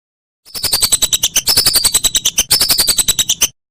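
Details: Whistling duck, a master recording used to teach songbirds such as magpie robins and green leafbirds for contests: rapid sharp whistled notes, about eight a second, in roughly one-second bursts with a high, slightly falling whistle, no other sounds.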